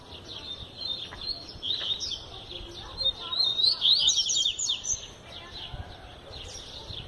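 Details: Double-collared seedeater, described as a tutor bird that sings all year round, used for teaching song: quick, bright twittering and sliding high notes in a rapid run, loudest in the middle, with faint background murmur.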